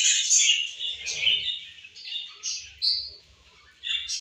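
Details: Budgerigars kept as pets, feeding and playing together, give high twittering chirps and short whistled squeaks in uneven bursts, with soft low knocking and rustling beneath.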